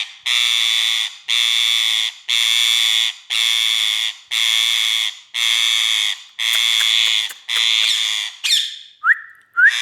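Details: Male Indian ringneck parakeet, kept as a pet, giving loud harsh squawks repeated about once a second, nine in a row, ending with two short rising whistles.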